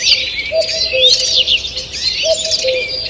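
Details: Birds singing in a forest on the morning of 2 June 2023: bright, sliding whistles and chatter layered densely, with a quiet low two-note tone heard twice.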